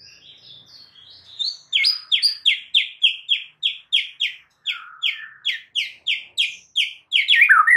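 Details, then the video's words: White-rumped shama training song: quiet high whistles, then a long steady series of loud, sharp repeated notes, about four per second, ending in a fast descending flourish. "Dengan CEPAT murai batu AKAN EMOSI dan IKUT GACOR dengan MASTERAN murai batu ini"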